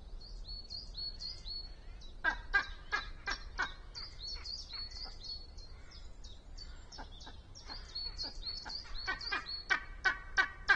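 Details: Two Spanish imperial eagles announcing their arrival at a black vulture nest in a pine, Sierra de Guadarrama National Park, Spain, nest webcam: bursts of harsh, barking calls about three per second, with high thin chirps of small birds throughout.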